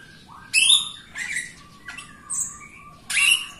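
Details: Jalak Rio myna singing actively, used as a prompt to get other Jalak Rio birds and reluctant singers to sing; loud harsh high squawks separated by pauses, with a thin steady whistle in between.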